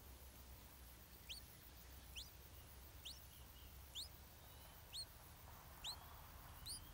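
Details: Stripe-throated bulbul chick begging while its mother brings insects to feed it: thin, sharply rising high notes, each with a fainter upper echo, repeated roughly once a second over a low steady hum.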